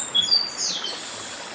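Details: Chestnut-capped blackbird (papa-arroz do Nordeste) in 'dedim' song near a stream: a brief run of high, thin whistles stepping downward, fading into a soft rasp, with running-water hiss throughout.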